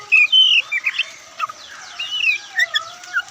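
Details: Oriental magpie-robin, the white-breasted form, singing in its loud, varied style called Ngobra: clear whistled notes near the start, then a string of short rising and falling whistles and chirps with gaps between them.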